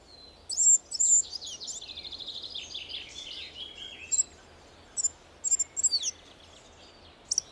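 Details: Spotted flycatcher (Muscicapa striata), a Russian forest bird, giving thin, very high squeaky notes, a scratchy falling twitter, then sharp single 'tsee' calls spaced about half a second apart; faint low hum behind.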